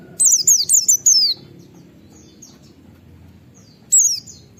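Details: White-eye in 'ngalas' wit-wit calling, used as a lure for other white-eyes. A fast string of four or five high, downward-sliding whistles opens, followed by near silence and then one more short burst.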